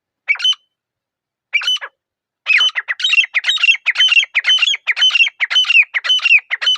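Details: Grey francolin (teetar) calling in a quiet forest: two short introductory notes, then a fast run of loud, shrill, repeated three-part phrases, about two per second, with rising then falling whistled elements. No other sounds.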